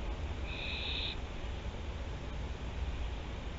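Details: A single flat, raspy screech of about half a second from the Théding barn owls, recorded 24 September 2021, followed by a long stretch of low humming background.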